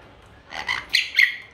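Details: Grey parrot in Dhaka, Bangladesh, giving three short, squawky chirps in quick succession, each louder than the last, over faint background hiss.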